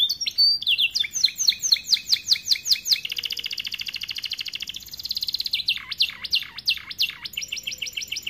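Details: A starblue canary in full song, used as a master song for young canaries: a fast run of high, falling trilled notes, a long buzzy roll, then deep swooping notes and rapid chips.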